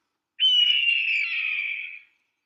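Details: Red-tailed hawk of America giving its crying call: a single hoarse, drawn-out scream lasting about one and a half seconds, starting strongly and slowly fading and dropping slightly in pitch; no other sounds.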